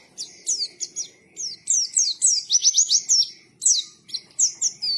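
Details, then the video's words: A white-eye sings a fast, continuous run of high, thin whistles. Each note is slurred downward, and a rapid trill of rising chips comes near the middle, about four notes a second. "KICAUAN BURUNG PLECI GACOR NGALAS"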